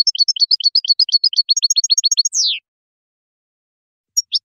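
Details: Goldfinch song with rapid, tightly repeated high chirped doublets, then a row of clipped notes and a falling buzzy slur, followed by silence and two final short chirps.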